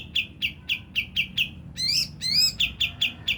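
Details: Crisp chip notes from a Javan grey-throated white-eye, about four per second, meant to excite birds into song, give way to two drawn-out rising whistled phrases before the chipping resumes.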